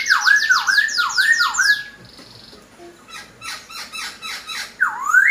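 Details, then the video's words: Masked laughingthrush in an aviary, singing actively: loud repeated whistled notes that dip then rise, about every half second, with high descending chirps and rapid buzzy notes from other birds layered above. "POKSAI HONGKONG GACOR DOR"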